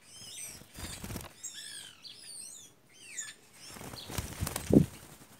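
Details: A gang of white woodpeckers calling close by: bursts of bright, downward-curving harmonic notes in quick series, mixed with loud wing flapping and rustling.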